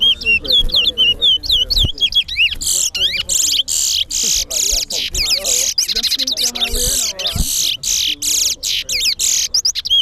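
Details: Caged chestnut-bellied seed finches (towa towa) in a singing competition at Guyana National Stadium: rapid whistled slurred notes, then dense buzzy rattling trills repeated in quick bursts, with people talking and low crowd noise behind.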